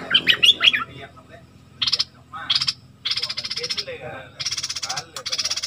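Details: Worked-up flowerpecker: a few quick high chirps, then harsh buzzy rasping bursts of about half a second each, repeated with short gaps, some run together into longer grating strings.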